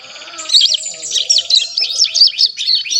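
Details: Fledgling mountain prinia, over one month old, learning to sing: a quick burst of high, jumbled chirps and zigzag notes running together, with a faint steady lower hum behind.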